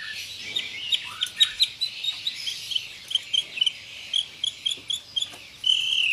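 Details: White-rumped shama, sharp 'tembakan' song with tight rolls: a long run of high, crisp chipping notes repeated at a quick, even pace, ending in a sustained hissy note.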